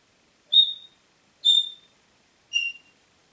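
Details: Congo grey parrot at home in Diebach near Hammelburg, 4 April 2012, sounding three short high thin piping whistles roughly one second apart, the last a little lower in pitch.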